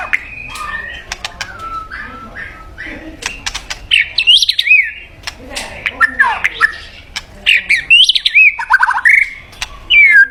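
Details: White-rumped shama, singing to call a mate: scattered sharp chips and clicks, then sweet looping whistled phrases rising and falling, over a soft hissy background.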